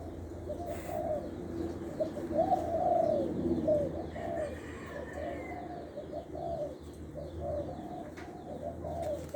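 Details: Medium-voiced spotted dove from Lopburi, Thailand, a caged decoy bird singing one-kuk style, delivering a run of deep hollow coos that swell and fade, followed by quieter coo notes against constant low hum.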